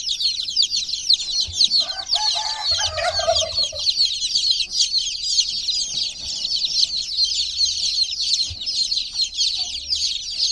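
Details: Chicken chicks in a water pool peep constantly in a high, busy chorus; a short muffled mid-pitched sound rises around the second to fourth second, plus soft low bumps.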